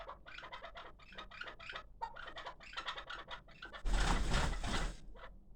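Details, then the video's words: Six-month-old hybrid chukar partridge kept for calling gives rapid, repeated clucking chuk notes, several per second and fairly even, ending in a loud broadband rustling burst near the end. "Кабки Гибрид"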